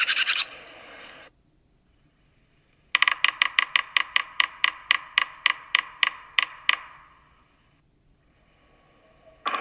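Yellow-bellied Sapsucker drumming: about sixteen sharp taps that start quick, then slow into an uneven, stuttering rhythm. Brief scraping noises come before and after.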